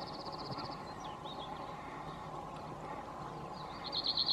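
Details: A male cirl bunting in Croatia gives a fast, dry, high rattling trill on one pitch, twice, over a steady low hum and background noise.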